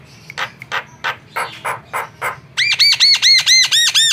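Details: Lively Javan myna song used as a lure: a run of scratchy, rasping notes, then a rapid series of loud, ringing, harmonic squawks repeated about three per second.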